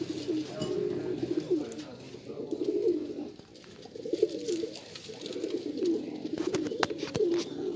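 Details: Jacobin pigeons, a fancy breed descended from the rock pigeon and shown in the Asian feather and voice group, coo in low, rolling, throaty phrases that repeat in bursts; faint background murmur and some clicks.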